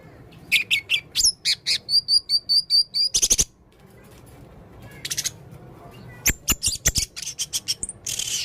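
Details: Male blue-crowned hanging parrot, described as very vocal with many strange sounds: a run of rapid high sharp chips, then a series of thin high whistled notes, followed by scattered clicks and harsh buzzy bursts.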